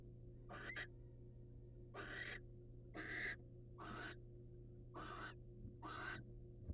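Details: Six hoarse, breathy screeches in quick succession, roughly one per second, as a wild male barn owl presents his catch to the waiting female; steady electrical hum in the background.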